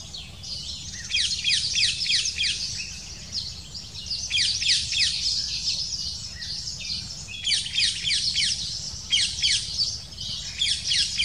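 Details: Black kite family at the nest while the female feeds chicks a small prey: dense clusters of high, thin, downslurred chirps come in several bursts with short pauses, fairly loud throughout, light background hiss.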